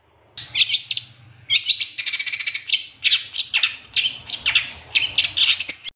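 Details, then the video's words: Long-tailed shrike singing full fill-in phrases in a master recording for training captive birds. A fast, varied chatter of scratchy trills, buzzy notes and sharp whistles runs almost without pause, with a faint low hum. "Masteran Cendet Full Isian Nembak Mewah Terbaik 2023"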